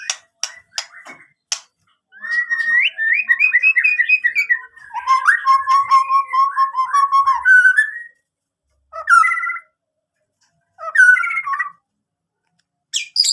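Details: White-rumped shama in energetic song, with scratchy and whistled warbling phrases, a few clicks, and silent gaps between bursts, recorded in a quiet setting.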